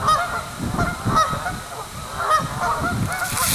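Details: Canada geese on Springfield Lake, Churchville Park, Pennsylvania, on 25 October 2015 at evening, having just flown in and landed to sleep. Loud, nasal honks overlap at an uneven pace of roughly one a second, with faint human voices nearby.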